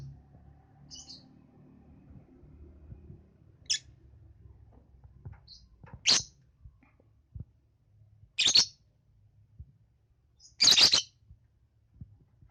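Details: Young lovebird giving sharp, shrill, buzzy chirps spaced every two to three seconds, growing louder toward the end, with faint high squeaks between them and low indoor hum underneath.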